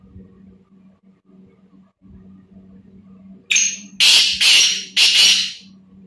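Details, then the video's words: Black francolin calling: after a quiet stretch with a steady low hum, four loud, harsh, grating notes burst out in quick succession, each broad and rasping, closing the sequence. "Black tater voice"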